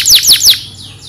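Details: Canary kept by a bird keeper in Pemalang, Central Java, Indonesia, giving three quick high downslurred chirps in a row, then fainter sweeping notes fading out.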